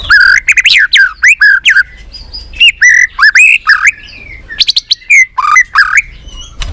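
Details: White-rumped shama singing many varied phrases to rouse other shamas: continuous loud looping whistles, upward slurs and brief high chips, delivered in quick succession with few pauses.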